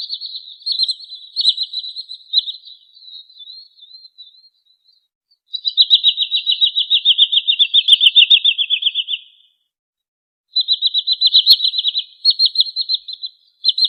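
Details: Sandpiper, a small long-legged waterbird of Indonesia, giving high, rapid, evenly pulsed trills. Short chattering notes come first, then a long dense trill of about four seconds, a pause, and another run of rapid notes.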